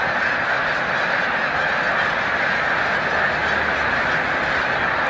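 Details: Large flock of snow geese at Montezuma, New York, on 7 March 2022, taking flight amid nearly peak migration: a uniform, rolling wall of yelping honks from many birds, without pauses.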